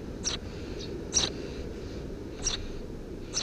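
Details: Eurasian tree sparrow chicks, three in a nest beneath a house roof, June 2017: four brief, piercing high chirps spaced roughly a second apart, with a low steady rumble underneath.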